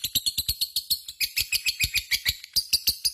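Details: Vocal lovebird's long ngekek: a steady, rapid series of harsh, high chattering notes, about six per second, continuing without pause across the whole stretch.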